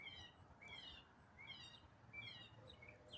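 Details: Songbird heard in autumn, singing quietly and at some distance: short phrases of sweet downslurred notes repeat roughly every three-quarters of a second against a steady hiss.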